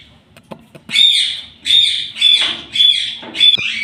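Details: Talking parrot at home: after a few soft taps, four or five loud, harsh, rasping screeches follow one after another, each about half a second long and evenly spaced.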